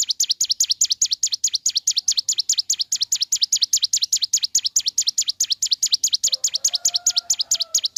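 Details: Relentless, evenly paced string of high, sharp chirps from a ciblek gunung in the morning, each note dipping and rising, with a faint wavering whistle from another bird toward the end.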